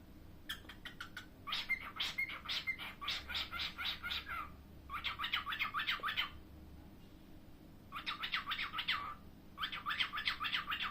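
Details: A pet cockatiel gives rapid bursts of harsh, scratchy squawks, several notes per second, in runs of one to three seconds with short pauses between.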